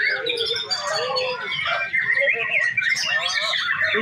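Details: At a breeding farm, a male white-rumped shama delivers a lively, unbroken song of mixed whistles, chirps and rapid twitters across high and middle notes.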